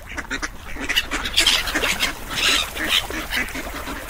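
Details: Several ducks quacking together: harsh, nasal quacks overlap in a dense, uneven chorus, with bursts about twice a second and louder peaks midway through, over a faint background hiss.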